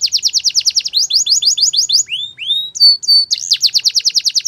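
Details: Singing canary delivering quick rolling trills of high chirps, a few rising slurred whistles and steady pure notes, then resuming the rapid repeated trill.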